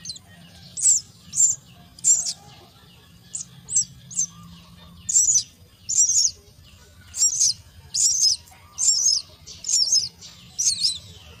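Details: Common myna nestlings being fed at the nest give loud, harsh, very high rasping begging calls, roughly a dozen short bursts in quick uneven succession, some in pairs, with a soft low rumble beneath.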